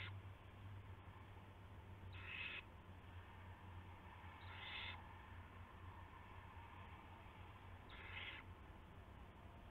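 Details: Owl at its nest in the early morning of March 9, 2016, as a rat is delivered; three rasping, hissy screeches about three seconds apart rise from a steady low background drone.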